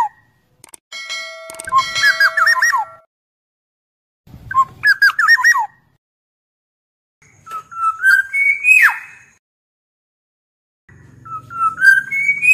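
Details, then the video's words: Black-naped oriole singing mellow fluty whistled phrases separated by silent gaps, including a slurred rising whistle that sweeps up and then drops sharply, with a faint buzzy background at the start. "MASTERAN BURUNG KEPODANG"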